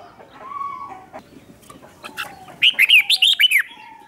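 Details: Decoy red-whiskered bulbul calling in wild birds; faint whistles and clicks lead into a single loud, fast phrase of about seven chirpy, swooping notes near the end.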